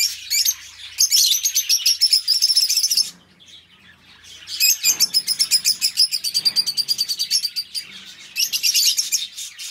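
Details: Two pet budgerigars, kept together as companions, chirping and singing: bursts of rapid, high buzzy chattering warble lasting one to three seconds, separated by short quiet gaps, with a faint low hum beneath.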